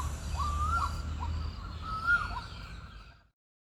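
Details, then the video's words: A white-breasted waterhen gives a call described as a mating call: two short phrases of mid-pitched notes that rise then dip, about one and a half seconds apart, over a low background rumble, with other birds singing. "White-breasted Waterhen attractive Sound"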